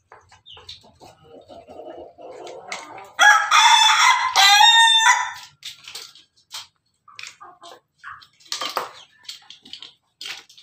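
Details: A red Ayam Ketawa (laughing chicken) rooster perched on top of its cage gives one long, melodious crow. It is loud and harmonic, with a broken, stuttering middle section, framed by soft background clucks and rustling.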